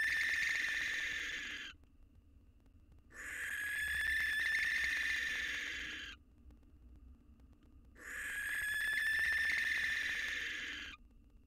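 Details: Widowed male barn owl courting a new female outside his box, three days after his mate's death, fledgling alongside. Three harsh, hoarse screeches, each roughly three seconds, separated by quiet pauses of about one to two seconds.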